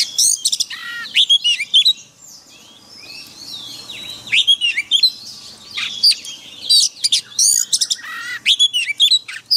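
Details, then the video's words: Oriental magpie-robin singing a wild forest-style song, used as a daily master recording for training caged birds: rich, varied whistled phrases and buzzy harmonic notes, rising and falling slurs in quick bursts with short pauses. "Luyện chòe than hót giọng rừng mỗi ngày MASTERAN KACER"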